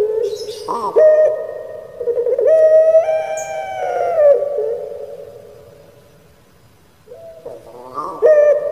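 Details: Barbary dove, puter pelung kept in Indonesia, in crying style: a gurgling start, then long sustained harmonic coos stepping upward and sliding down, a quiet fading gap, then a fresh throaty phrase starting.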